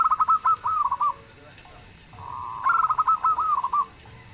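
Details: Local zebra dove singing actively with a booming voice that draws replies from other birds: two bursts of rapid, bubbly cooing notes, each a quick stutter of short pulses ending in a longer coo, separated by a quiet gap.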